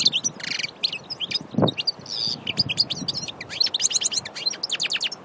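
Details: Aïn Barbar goldfinch, Annaba, delivering lively, rapid, high-pitched twitters with buzzy trills and chirps. One dull knock is heard early on, and the notes become denser toward the end.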